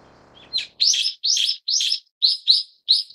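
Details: Brown-eared bulbul, subspecies harterti: a soft lead-in, three long harsh buzzy notes, then quicker, cleaner squeaky notes in pairs.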